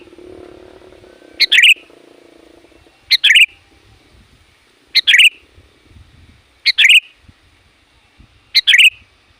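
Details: Sooty-headed bulbul lure call for wild bulbuls, one sharp note and a bubbly chatter repeated five times at fairly even intervals of about two seconds, with a low hum at the start.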